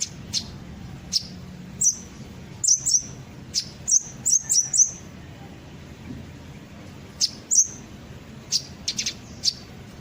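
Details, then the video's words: Kolibri ninja sunbird in a lure recording meant to draw other birds into singing: sparse, sharp high chirps, single or in quick pairs and triplets, separated by gaps of about a second, over a faint low hum. "pancingan suara burung kolibri ninja pasti langsung ikut bunyi"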